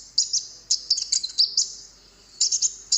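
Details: Golden-bellied gerygone (konin) on a recording used to lure wild birds into answering. It gives very high, thin chirps and short trilled bursts in two groups, with quiet background.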